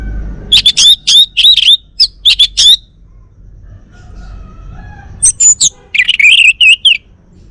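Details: At home in North Bali, a caged male Bali orange-headed thrush gives clustered bursts of sharp, ringing notes, a pause, then a twisting, warbled whistle phrase against faint background hum.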